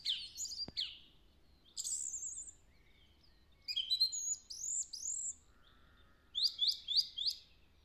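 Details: Song thrush in spring woodland, 3 April 2020, a bird known locally for copying the Woody Woodpecker song. High whistled and slurred phrases, then one sharp note repeated four times in quick succession near the end.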